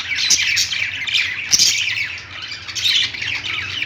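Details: Budgies on a perch in a pet store keep up rapid, scratchy chirping and warbled twitters, louder bursts around the first and third seconds, with a soft steady hum behind.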